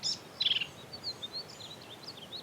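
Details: A Black-capped Vireo sings from a treetop in scrubby country by a creek near Enchanted Rock, north of Fredericksburg, in the morning. It gives a sharp high note, a burst of harsh rapid chattering, then fainter slurred, wavering whistles.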